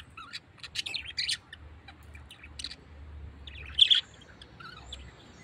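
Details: Tame pet parrot giving scattered short, sharp chirps and squeaky notes, some in quick pairs with louder bursts near the end, over a quiet indoor background.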